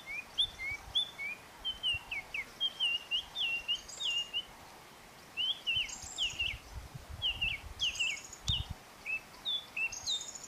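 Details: A scrub robin in Kruger National Park sings quick, sweet whistled phrases, rising and falling, strung together in two bursts with a short pause between; faint low rumble behind.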